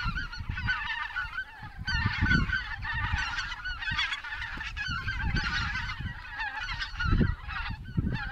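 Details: Flock of cackling geese, 26 November 2016, calling continuously with overlapping nasal, yelping honks in rapid bursts. Deep, steady rumble from wind or handling runs underneath throughout.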